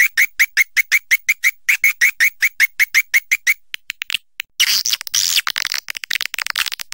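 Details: Swiftlet calls: a steady run of short, evenly spaced tonal chirps, about three per second, followed by a burst of harsher, dense high twittering.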